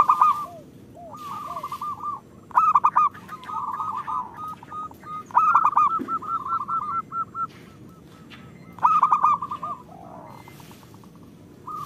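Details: Local zebra dove singing, recorded as a lure to get lazy zebra doves to sing: runs of soft, rapid cooing notes in bursts, with louder overlapping phrases near the middle and end, over a low background hiss.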